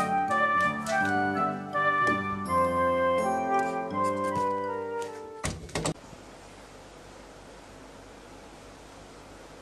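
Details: Brass-led instrumental music plays for about six seconds, then cuts to quiet background hiss with no animal voice.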